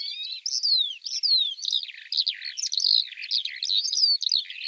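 A Eurasian Skylark pours out a high, unbroken song of rapid chirrups, slurred downward whistles and buzzy trills, with no other clear sounds.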